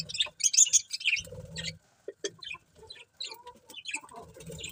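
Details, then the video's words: Budgerigars kept as pets trade rapid, high, twittering chirps, busiest at the start, then thinner clicks and short notes with soft rustling between them. "Cute Budgies Chirping Sounds"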